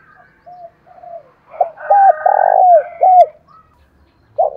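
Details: Decoy spotted dove in 'thổ đồng' style cooing to lure wild doves: soft introductory notes, then a burst of loud, hollow coos in rapid succession, each note arching and dropping. One last coo starts at the end.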